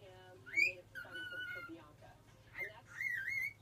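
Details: Learning to whistle, a pet cockatiel sings a few clear whistled phrases: one sharp rising note, a level held tone, then a wavering rising whistle at the end.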